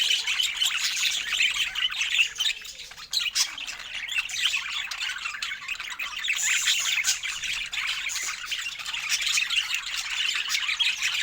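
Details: A group of pet budgerigars sharing fruit keeps up a long, busy chatter of rapid high chirps, warbles and squawks, briefly dipping in loudness before continuing.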